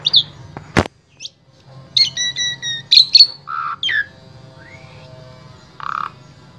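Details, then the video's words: Asian pied starling in Wonosobo, Central Java, Indonesia, used as a singing tutor for other starlings: scattered clear whistles and chirps, a loud click, brief trilled notes and low buzzy calls with pauses between. "Jalak SUREN SUPER GACOR Full Isian Sangat Ampuh Dijadikan Guru Vokal Jalak Trotol"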